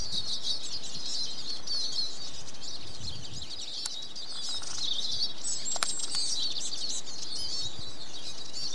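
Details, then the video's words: Eurasian siskin song as a steady, busy high-pitched twitter of rapid chirps and slurred notes, with a couple of sharp clicks partway through. "Siskin Song"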